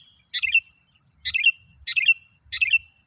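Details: Energetic 'gacor' sooty-headed bulbul song meant to lure and agitate other bulbuls: four quick liquid, slurred whistled phrases in about three seconds, evenly spaced, with a constant thin electronic-sounding whine behind.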